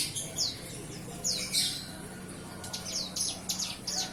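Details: Bar-winged prinia, a young bird after hand-feeding, starting to find its voice: a few downslurred high whistled notes, then a quicker series of sharp chirps, over a steady low hum.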